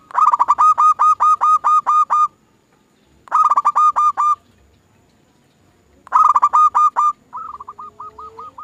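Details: Lure recording of zebra dove song meant to set other doves singing: three loud bursts of rapid, clipped cooing notes, each roughly two seconds long and separated by pauses, with a softer run of notes at the end.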